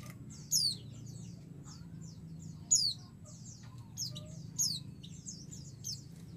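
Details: Female white-eye calling for a male so that he answers excitedly: loud, thin downslurred chirps repeated at irregular intervals of one to two seconds, with quieter twittering between them over a low background hum.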